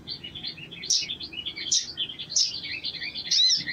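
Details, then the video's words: A lively male-lure sogon sings a fast, continuous high twittering warble of chirps and trills, with sharper bright notes breaking through about every 0.7 seconds; the recording is used as a lure to get other sogon singing quickly. "SOGON GACOR"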